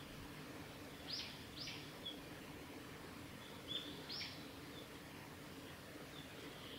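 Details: Varied tit at Lake Miyagase, Kanazawa forest road, on 29 April 2020, giving thin, high call notes, quick sweeping slurs and short tsip sounds spaced a second or two apart, over a steady low rumble.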